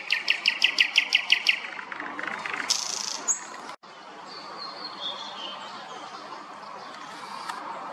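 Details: A small, inconspicuous thrush nightingale sings in a city centre on 25 May. It opens with a rapid run of about eight sharp, evenly spaced repeated notes, then a high rasp and fainter, softer phrases over background noise.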